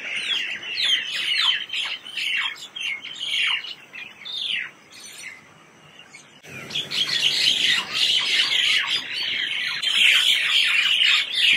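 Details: A myna flock at Daonan Riverside Park in Wenshan, Taipei, Taiwan, chattering and playing: dense overlapping high chirps and downslurred notes, a busy continuous chorus with brief lulls, then a louder, fuller wash of chatter in the second half.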